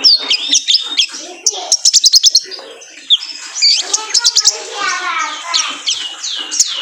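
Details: Male kolibri ninja sunbird, used as a training lure for cage birds: rapid high, thin chirps and sharp downslurred notes, with quick trills of clicking notes in bursts, followed by a run of buzzy rising sweeps.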